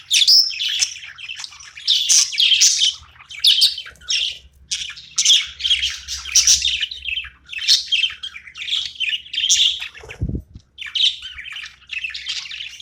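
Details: Budgerigar playing and chirping in quick, rhythmic bursts of scratchy warbling roughly every half second, with a brief low thump about two-thirds through.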